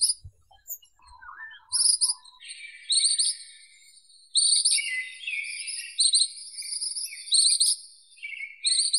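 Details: Ashy minivet with high, metallic, trilled phrases. After a few lower chirps they become longer, overlapping, rolling trills that run almost continuously, as if several birds call together.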